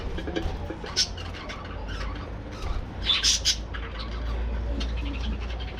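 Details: Budgerigars in a breeding colony aviary during morning activity, giving scattered short squawks and chirps, with a louder burst of sharp calls near the middle over a low background hum.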